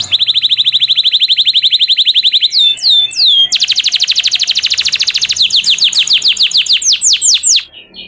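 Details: Canary song played as a lure to make canaries sing eagerly: a long, steady, very rapid high trill, then a few downward-swept whistles, another fast rolling trill, and a run of slower down-slurred notes.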